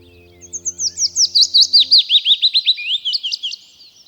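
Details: Willow warbler in the UK countryside, back each April from sub-Saharan Africa: a soft, sweet descending phrase of about fifteen slurred notes over three seconds, with faint background music fading out partway through.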